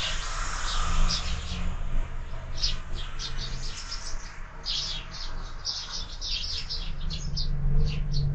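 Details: Busy morning chorus of sparrows at a window-mounted feeder: continuous, irregular, high chirps about four per second, with a low hum underneath.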